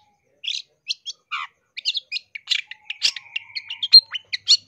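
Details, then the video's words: Long-tailed shrike song made as a training and luring recording for caged shrikes: a fast run of dry, scratchy chirps and short buzzy notes, about two per second, growing denser midway, with a faint thin whistle underneath. "MASTERAN CENDET GACOR FULL ISIAN ISTIMEWA COCOK BUAT PIKAT BUNYI MASTERAN TERAMPUH"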